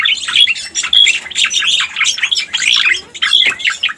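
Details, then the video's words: Striated grassbird lure call, known locally as cica koreng: harsh, continuous chattering and squeaky rising notes packed closely together, with a short pause near the end. "Suara Pikat Burung Cica Koreng"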